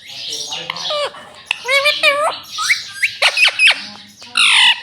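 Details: Pet green ring-necked parakeet talking indoors, repeating "mummy": a string of short, nasal, harmonic syllables with sharply curved, rising-then-falling pitch, bunched in quick bursts with brief gaps between them.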